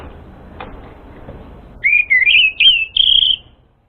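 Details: Whistled orange-headed thrush song meant to lure an untrained bird: after quiet hiss, four smooth connected phrases that rise and waver, ending on a steady higher note.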